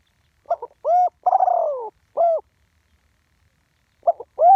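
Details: Spotted dove, live recording of a ground decoy bird in the one-kuk style: short stuttered notes, a clear rounded coo, a long wavering falling coo, another coo, then after a pause the phrase begins again. Quiet background.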